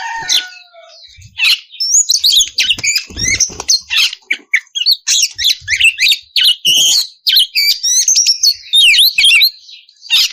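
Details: An oriental magpie-robin female in breeding condition calls for the male, opening with a few soft falling whistles, then a long torrent of varied squeaky whistles, harsh rasps and rapid twittering notes that barely pause.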